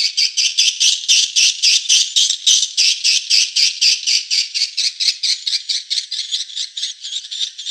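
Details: Swiftlet lure recording for attracting swiftlets: evenly spaced high, buzzy chirps pulsing about four times per second, with a steady rhythm that fades slightly toward the end.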